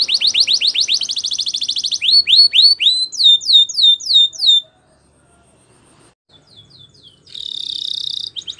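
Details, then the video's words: Spanish Timbrado canary singing training song: a rapid trill, then slower repeated downward-swept whistles, a pause with faint notes, and a closing dense buzzing roll. "The Best Timbrado Canary Sounds !! Suitable For Timbrado Canary Training"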